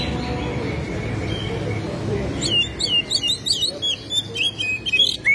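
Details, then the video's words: An Oriental magpie-robin in full song, tail open, showing off its repertoire. It is offered as a lure to get other magpie-robins singing. A steady low rumble comes first, then a quick, varied string of sharp whistled and chattering notes. "KACER SUPER GACOR BUKA EKOR BONGKAR ISIAN"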